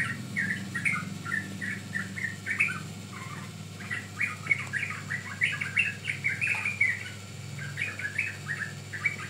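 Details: Sooty-headed bulbul singing, a recording meant to lure or train birds: lively strings of short, sweet chirps and warbled notes in clusters, with brief gaps and a faint low hum.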